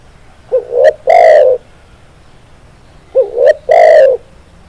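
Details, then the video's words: Tekukur, the spotted dove, gives two coo phrases roughly 2.6 seconds apart. Each has a wavering rising introductory note, a brief sharp click and a drawn-out, slightly falling coo. "SUARA BURUNG TEKUKUR"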